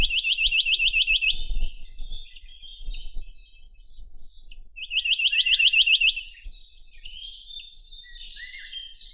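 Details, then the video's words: Chinese nuthatch (Sitta villosa) song: two fast trills of repeated rising notes, each lasting about a second and a half, separated by scattered chirps and high twitters. "Как поёт Поползень косматый (Sitta villosa)"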